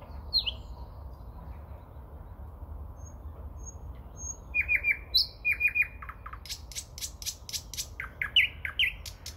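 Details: Common nightingale singing in the Moscow region in early May: a descending whistle, soft high tones, then clusters of quick down-slurred notes, followed by a dry clicking series and further strong notes.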